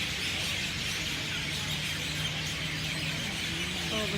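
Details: At sunset in a banyan tree in Lahaina, West Maui, massed birds keep up a constant high squeaky chatter while a person talks quietly underneath.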